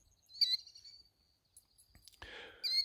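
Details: Killdeer parents upset at people close to their nest of camouflaged eggs give shrill, high-pitched alarm notes, one drawn out and a second sharp cry near the end, with a brief rustling burst between them.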